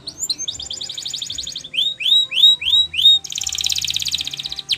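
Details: Canary song for training: fast buzzy trills, then a series of five loud rising whistled swoops, then a dense rapid rattle-like trill ending in a sharp note.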